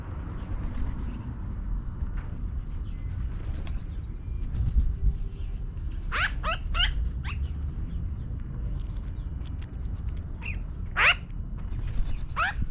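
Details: Magpies in a tree, flying down from it: a burst of four quick harsh downward-sweeping calls, then scattered single calls later, over a low steady outdoor rumble.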